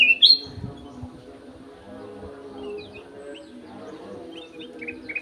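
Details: Clear song of a captive golden-fronted leafbird in an aviary: one loud, ringing rising whistle at the start, then soft scattered chirps and twitters, with a persistent low hum underneath.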